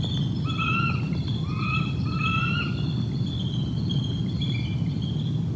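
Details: Wild bald eagles calling during copulation at the Decorah North nest, the pair's second mating seen on the nest camera this season, 11 November 2021 at 5:13 pm; a series of thin, high piping notes, each briefly rising then falling, over a steady low background rumble.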